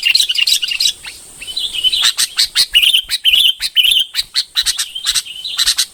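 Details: Red-whiskered bulbul singing: bright chirped notes and short warbled phrases in rapid bursts, several per second with brief pauses, over a steady high thin hiss.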